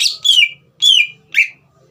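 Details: Green leafbird whistling to provoke a young bird into song: three bright, descending whistled notes with buzzy overtones, spaced about half a second apart, over a faint low hum.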